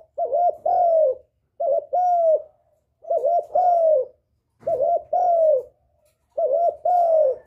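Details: Spotted dove calling as a lure to attract a male: five low, mellow two-part coos, a short double note followed by a longer drawn-out falling coo, repeated about every one and a half seconds.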